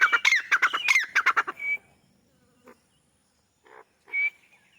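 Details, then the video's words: Grey francolin, also called white francolin or teetar, calling from a wall in its natural habitat in Pakistan: a loud, rapid series of harsh, rhythmic grating notes, then a thin rising whistle, a pause and another short whistle. "White teetar voice | teetar making a sound on the wall"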